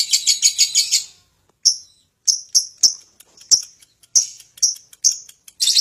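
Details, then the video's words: Lovebird in ngekek song, starting with a quick buzzy chattering run, then a pause followed by a series of separate sharp, high chips about two per second, and a final burst of chatter. "Love bird ngekek tak karuan"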